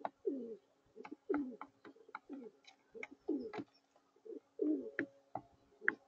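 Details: A lone male pigeon from a group muttering to himself in low, rolling coos. The burbling phrases come in short bursts with brief pauses, and a few light clicking taps sound between them.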